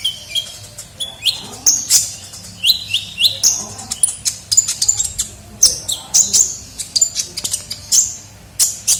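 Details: Sunbird (kolibri ninja) lure recording of a bird in full song: lively high chirps mixed with short rising and falling whistles, notes tumbling out several per second.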